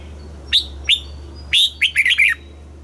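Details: Red-whiskered bulbul from Thailand giving a southern-style master phrase for teaching young birds: two crisp upslurred whistles followed by a fast tumbling string of five bright warbled notes, with a low hum beneath.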